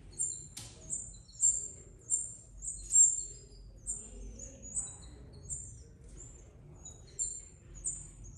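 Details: Belgian canary chicks begging as the female feeds them after eating herself: a series of thin, very high, slightly falling squeaks repeated about every half second, then quieter, with low background rumble.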